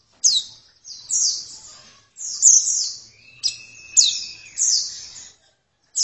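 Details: Oriental white-eye uttering separate bright, high descending twitter phrases roughly every second, with a thin steady whistle running faintly in the middle part.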